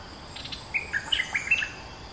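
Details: Lure song of a Streak-eared Bulbul kept in a cage for two months. A brisk run of short whistled notes climbs and dips in a bright, bubbling phrase, with faint higher chirps just before it and steady hiss underneath.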